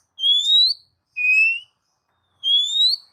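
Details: Oriental magpie-robin giving three long, pure, slowly rising whistles, each lasting about half a second, recorded as a lure for pet birds.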